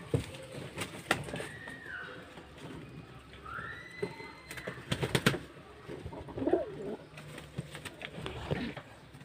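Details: Hungry pigeons at home while being fed: thin squeaky whistles rising and falling, a low coo-like note, with sharp clicks and rustling throughout.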